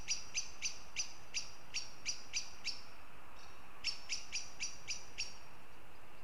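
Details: Northern goshawk from Riga, Latvia, in a long rapid chatter: around ten strident, clipped notes, a short pause, then six more at the same quick pace, over low background noise.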